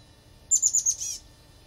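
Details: At a flicker-box nest with eggs and young, a chestnut-backed chickadee utters one quick burst of four or five very high, thin notes ending in a slightly buzzy note.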